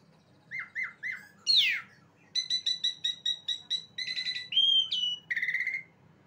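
An Asian Pied Starling sings a varied, jumbled phrase: two short chirps, a harsh falling squawk, rapid rattling notes, then bright whistles and a quick trill.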